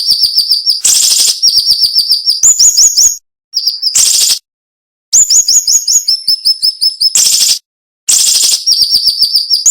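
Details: Cinnamon-bellied flowerpecker song for masteran, dense and cutting: very high clipped notes in rapid runs, several loud grating bursts, and short silent breaks between phrases.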